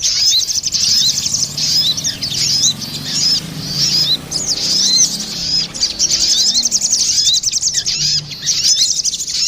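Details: Crested jay, a female and a male calling back and forth, recorded as lure sound: dense high chirps and twittering with short rising whistles, steady throughout, brief quieter gaps.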